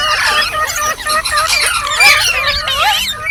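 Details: Ringneck parrot producing funny sounds: fast, loud, strained warbling of looping whistled notes, running continuously with little pause.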